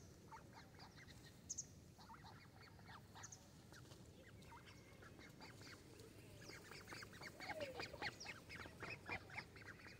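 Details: Several young mallards on a pond shore in Vantaa, Finland, chatter in quick, irregular bursts of short peeps and quacky notes, growing busier toward the end, with steady low background noise.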